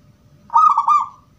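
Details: Zebra dove, gedong mengo type, cooing in a 'crystal' voice used as a lure to draw replies from other doves: a single rolling, warbled coo of about four quick pulses, steady in pitch with a slight trailing fall.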